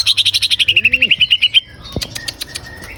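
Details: Green leafbird song meant to get a caged bird singing: a fast regular trill of about fifteen clear whistled notes that gently falls in pitch, then a pause with a few faint sharp clicks.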